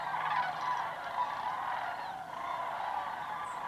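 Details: Migrating sandhill cranes flying low in several swirling flocks over the route across Georgia and Tennessee, recorded on a GoPro: a continuous, overlapping chorus of rolling, trumpeting calls, with a faint breathy hiss.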